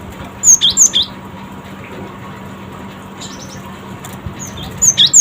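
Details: Cinereous tit, said to answer quickly, uttering short series of sharp high chirps: a run of four notes, fainter notes midway, then another quick run of four at the end, with a steady low hum beneath.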